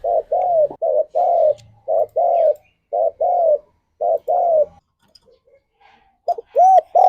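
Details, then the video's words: Spotted dove song played as a morning lure to bring doves into breeding condition: repeated soft, low cooing phrases, each a short note followed by a longer rolling coo, in groups with brief pauses, ending with clearer arched coos. "Tekukur Gacor Suara - Pancingan Pagi Paling Ampuh Naik Birahi"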